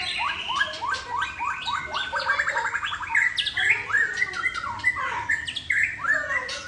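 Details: White-rumped shama of the Aceh type with a drooping tail, delivering a long song phrase in one breath: rapid, varied whistled notes, sweeping up and down, with chattering trills and sharp accents running without pause for nearly seven seconds.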